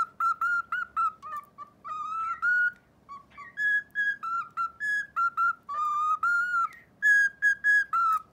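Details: Pet cockatiel whistles in clear, pure notes, phrase by phrase, while practising the children's song "Momotaro" it is being taught; the tune is still barely formed.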